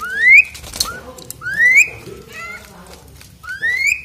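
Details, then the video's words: While being bathed, an Asian pied starling whistles loudly. Bright rising slurs come three times, mixed with short chattering notes and clicks. "KICAUANNYA KERAS SAMBIL MANDI || JALAK SUREN"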